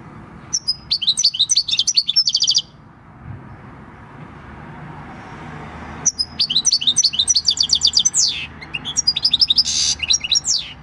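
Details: European goldfinch, wild-caught and six years old, singing its field-type song on 26 December 2019; a rapid twittering phrase, a quiet pause of several seconds, then a longer high burst including buzzy notes.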